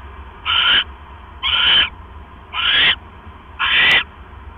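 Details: Owl pair at 7:24 PM on 18 October 2015 after the male delivers a rat to the female, which she swallows whole; four coarse, noisy screeches about once per second above a faint low rumble.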